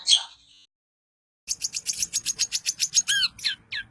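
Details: Long-tailed shrike of the Daput type, singing to provoke other shrikes into song: a brief squeaky burst, a pause, then a rapid run of short high chirps about four per second, ending in a few downslurred whistles.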